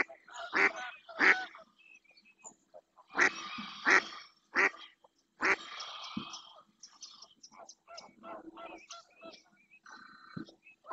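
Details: A female mallard calls insistently in the Doñana National Park marshland, Spain. Harsh quacks come in irregular bursts, followed by softer, varied duck chatter and a faint, higher tonal call near the end.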